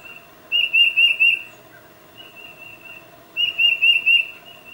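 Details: Tufted titmouse calling its mate, recorded on a Nikon D800 with 600mm lens: four-note clear whistled phrase, a faint slurred whistle after a pause, then another strong four-note phrase.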